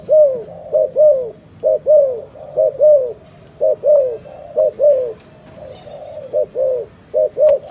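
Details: Spotted dove giving a long, fast series of low coos: short clipped notes paired with slightly longer falling ones, about a dozen in a steady run.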